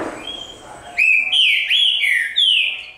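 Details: Green-winged saltator (trinca-ferro) singing loud, clear whistled phrases after a quiet first second: a long steady note, then slurred notes that rise and fall, repeated in quick succession with brief pauses between them.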